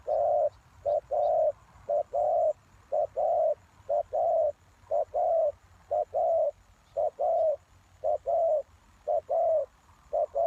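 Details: Spotted dove call used as a lure for wild doves: low, mellow cooing notes in quick groups of two or three, repeated steadily, about one note per second, over a faint low hum.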